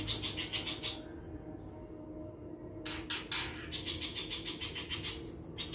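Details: Long-tailed shrike giving a rapid run of harsh, rasping, buzzy notes, roughly three per second. A brief pause falls mid-sequence before the scratchy chatter resumes, with faint background hum.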